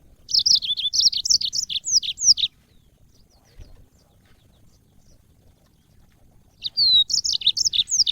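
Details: Training recording of a yellow-fronted canary, a cage bird: a two-second burst of rapid high chirps and falling whistled slurs, silence for about four seconds, then another lively phrase opening with a clear drawn-out whistle.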